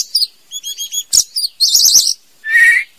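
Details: Female white-rumped shama singing: high, buzzy chirps and quick notes in short bursts, a broad harsh rattle, a rapid warbled trill, then a lower buzzy note ending the phrase.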